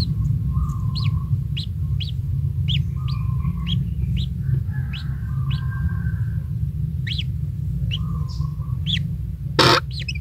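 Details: A lone kingfisher nestling, being brought insects by its parent, gives sharp rising squeaks repeated at an irregular pace. Faint lower humming tones come and go behind a constant heavy low rumble, and a loud click sounds near the end.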